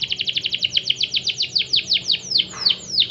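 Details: Canary song meant to get less eager canaries singing: a series of rapid downward-sweeping high notes that gradually slow and lengthen toward the end.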